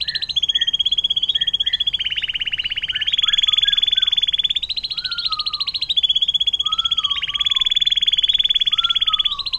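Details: Canary singing the long 'air mancuran' (water fountain) song style, used as a tutor recording for other songbirds: continuous rapid high trills in alternating lower and higher sections, with brief, lower whistled slurred notes dropping in pitch between them.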